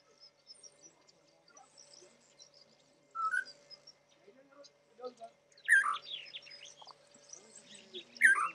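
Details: Spotted morning-thrush (Spotted Palm Thrush) at Lake Baringo, Kenya, in January 2006, singing rich, varied whistled phrases with slurred notes in short bursts a few seconds apart, over a faint steady hum.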